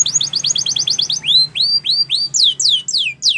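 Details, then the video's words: Training song of a Spanish Timbrado canary: a rapid trill of repeated high notes gives way to slower, evenly spaced swooping whistles, each sliding down then up, about four per second. "Spectacular SPANISH TIMBRADO Canary, This Canary Invites All Birds to Sing"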